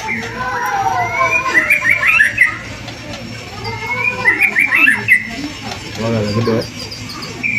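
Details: Lure song of a white-rumped shama meant to provoke rival birds to sing: two clear bursts of rising whistles and quick chattering trills, separated by a quieter pause, with a constant low electrical hum beneath.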